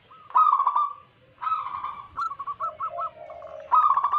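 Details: Zebra doves of wild local stock in a lure recording for trapping, giving rolling cooing trills with gaps between, then a short run of clipped coos over a lower, drawn-out second voice.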